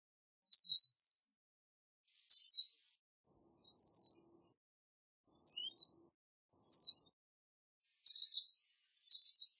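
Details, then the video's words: Black phoebe singing: sharp, high two-part chips repeated roughly every one to one and a half seconds, each note buzzy and clipped, over a silent background. "Black Phoebe Song! Black Phoebe Call! Black Phoebe Sound! - Mosquero Negro Canto"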